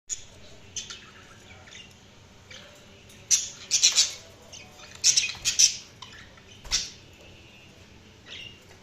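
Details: Budgerigars chirping indoors: bursts of high, scratchy chattering chirps and squawks, clustered mostly in the middle of the stretch with quieter gaps between, over a faint background hum.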